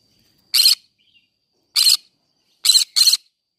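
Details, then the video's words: Green-cheeked conure in a flower garden giving four harsh, raspy, broadband screeches, each about a quarter-second long. The first two come well apart, the last two in quick succession, with a faint steady high tone underneath. "green cheek conure singing sounds"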